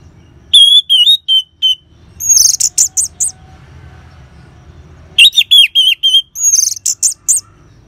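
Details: Orange-headed thrush song played as a lure for caged birds: two bursts of loud, varied whistled notes, some high and thin, others slurred and wavering, separated by a quiet pause with faint low background hum.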